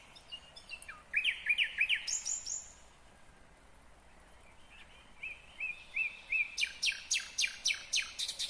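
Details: Loud nightingale phrases, Kyrgyzstan, 2020: a quick, rising, chattering burst, silence, then a string of whistled notes running into a crisp, rapidly repeated series of sharp clicks.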